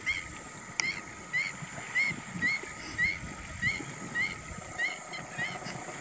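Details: Whiskered tern at Pong Lake giving a steady series of short, clipped, slightly arched notes with a buzzy overtone, about ten calls spaced roughly half a second apart, over a constant faint background hum.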